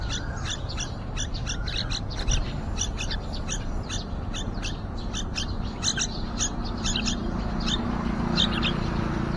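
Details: Yellow-vented bulbul family at a window-side nest with a mother bird and young near fledging, the younger chick more talkative. A dense run of quick, sharp high chirps continues throughout over a constant low rumble.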